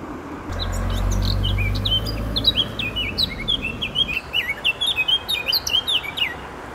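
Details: Eurasian blackcap singing at a flea market in Mulhouse, France, heard for about five minutes: a quick, varied warble of bright, clear notes growing steadier toward the end, over low wind or handling rumble early on.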